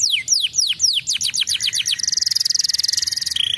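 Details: Young canary prompting song: rapid descending whistled sweeps repeated about four times a second, then fast buzzy trills and a steady high rattling trill to the end.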